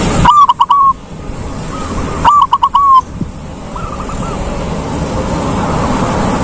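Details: Silver zebra dove singing ngalung-style: two loud phrases of clipped stuttering coos ending in drawn-out notes, followed by a fainter answering dove, with steady background rumble.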